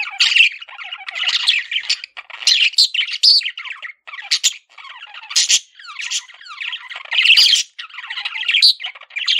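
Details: Male budgie, a household pet, chattering in long rambling phrases of grating buzzes, squeaky whistles and clicks, broken by brief gaps.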